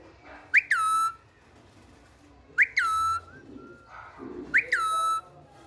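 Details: Pet parrot talking in Urdu or Hindi. It repeats the same short phrase three times, about every two seconds. Each phrase is a sharp rising note, then a sustained, steady, harmonic-rich tone, over faint room noise.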